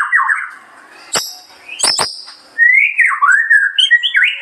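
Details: Song of a white-rumped shama, with fluid whistled phrases, a few sharp clicking notes, then a lively run of rising and falling warbled whistles repeated quickly toward the end.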